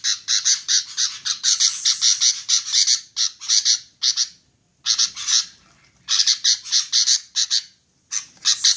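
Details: Female sooty-headed bulbul produces dense volleys of squawky chirps, broken by several silent gaps of about half a second to a second.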